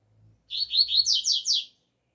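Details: Double-collared seedeater in the open air giving an 'alegria tuí tuí zeo zeo' phrase: about seven rapid, high, buzzy slurred notes, growing sharper toward the end, over a quiet background.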